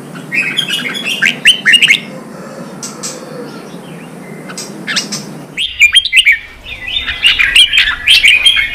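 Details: Red-whiskered bulbul song to stimulate fighting: two dense bouts of rapid whistled and chattering notes, the second louder and longer, separated by a quieter gap with soft chirps and background hiss.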